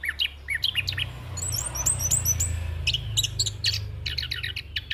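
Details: Young orange-headed thrush in full fill-in ngeroll song, recorded as training material and a lure. Sharp high chirps and short clipped whistles come in broken groups over a steady rushing background noise.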